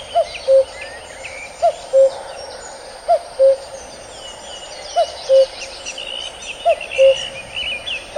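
A male common cuckoo gives its two-note falling 'cu-koo', repeated about every one and a half seconds, with other birds twittering faintly behind.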